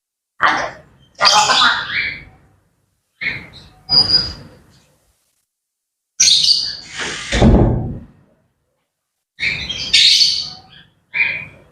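Grey parrots chatter in short bursts of harsh squawks, clicks and whistled notes, some bright and high, separated by brief silences.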